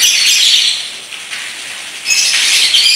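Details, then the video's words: Paskun lovebird ngekek in a unique style: a loud burst of high, buzzy chatter, about a second of quieter gap, then the rattling trill surges back just as strongly. "LOVEBIRD PASKUN NGEKEK PANJANG GAYA UNIK"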